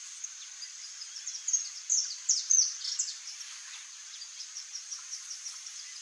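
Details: Saffron finch (Sicalis flaveola), known in Brazil as canário-da-terra, perched swaying in the wind. High, thin chirps and short notes come in a livelier burst midway, then spaced ticks about twice a second with steady background hiss.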